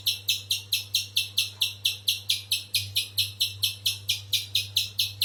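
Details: Evenly paced series of piercing high chip notes from a spiderhunter, about two and a half per second, continuing throughout over a low hum.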